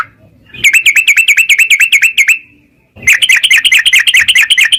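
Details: Yellow-vented bulbul, caged, in fast ropel chattering song used to stimulate another caged bird to sing: rapid bright repeated chirps in two bursts, about two notes per quarter second, separated by a short pause.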